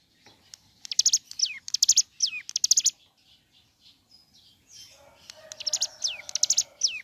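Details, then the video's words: Ciblek gunung singing energetically in the morning to provoke others to sing. Phrases of sharp high ticks and falling whistles, a quieter pause in the middle, then the pattern resumes over a faint lower hum. "Suara Asli Ciblek Gunung Gacor Pagi Hari.Rangsang Emosi Cigun Manapun Agar Segera Bunyi"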